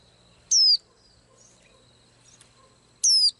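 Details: A small blue-eyed bird that sings every day gives two high, sharp whistled notes sliding downward, about two and a half seconds apart, over a quiet background.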